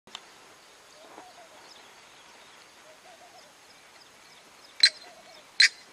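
Painted francolin giving two loud, harsh, grating notes close together near the end, after a faint first note; softer low chirps murmur in the background.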